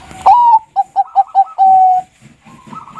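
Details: Single clear song phrase of a Bangkok-type zebra dove: a loud rising coo, four short clipped coos and a long flat closing note. Faint softer cooing follows.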